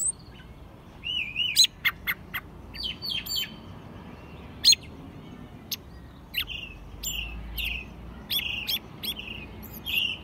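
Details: Captive American robin, raised from a nestling and singing in spring in Mexico City, March 2020. Short, separate whistled phrases come every second or so, mixed with sharp clicky notes against a quiet background.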